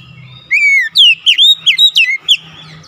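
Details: Oriental magpie-robin (kacer) singing persistently: a long falling whistle followed by a quick run of loud, sweeping, varied whistled notes, with a faint low hum in the background.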